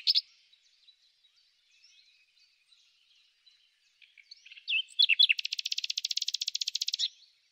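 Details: Common nightingale in spring song, quiet scattered notes leading into a long, loud, even trill of rapidly repeated notes lasting about two seconds.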